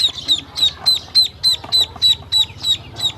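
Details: A hungry duckling, one of a group being fed by a woman, peeps loudly and very regularly, about three high down-slurred notes per second, with a faint low hum behind.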